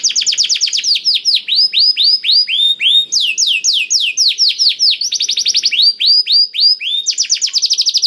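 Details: Canary in full song, played to encourage other canaries to sing: clean, loud sequence of repeated downward-swooping whistled notes in quick trills, changing tempo between faster and slower runs, no background noise.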